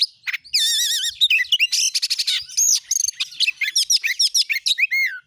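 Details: Oriental magpie-robin in full song, used as a lure to provoke other magpie-robins into singing: rapid, varied high phrases of sharp chips, trills and warbling whistles, with a wavering repeated whistle early on, delivered almost without pause.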